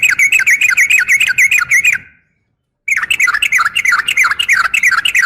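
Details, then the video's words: Female yellow-vented bulbul calls to a male with rapid, bubbly, repeated notes, about three per second. A brief silence breaks the two stretches of chattering phrases. "KICAU SUARA trucukan gacor"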